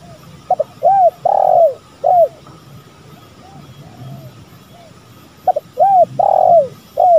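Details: Male and female spotted doves calling in a lure recording; two loud phrases of short notes, arched coos and a long falling coo, separated by soft distant coos and light background hum.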